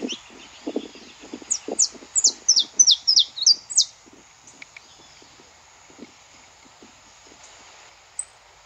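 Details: Saffron finch singing in the wild, recorded live in nature: a burst of roughly ten bright, high, descending chips packed into about two and a half seconds, with soft low knocks and quiet background hiss.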